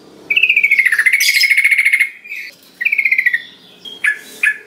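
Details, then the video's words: Sooty-headed bulbul used as a lure to stir lazy birds into song: a long rapid pulsed trill that falls then levels off, a shorter falling trill, then two sharp chirps. "Pancingan Trucukan Biar Gacor .Trucuk Malas Bunyi Jadi Ikut Ikutan Bunyi"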